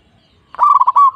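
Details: Short burst of local zebra dove song from Indonesia: a tight, rolling string of rapid coos merging into a sustained, slightly rising final note.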